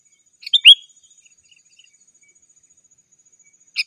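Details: Sooty-headed bulbul calling out to rivals, used as a lure for wild birds: one lively phrase of quick chirps ending in a clear slurred whistle, then a long pause before another phrase starts, on a quiet background.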